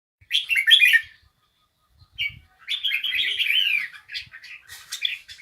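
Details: Bulbul singing in short bursts of bright, chattering warbles, a quick twittering phrase, a pause, then a longer jumbled run of varied high notes with faint low thumps underneath.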